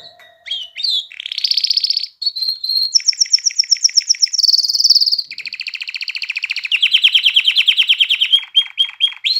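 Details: A canary performs continuous song to excite hens to mate and encourage chicks to sing. Rolling trills shift from pitch to pitch in blocks of one to two seconds, ending in a few short whistles.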